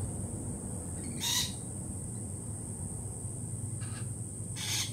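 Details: Three harsh, grating lorikeet screeches, each under half a second, spaced a few seconds apart over a steady high whine and low rumble; the birds are jittery after a Peregrine Falcon attack earlier that week.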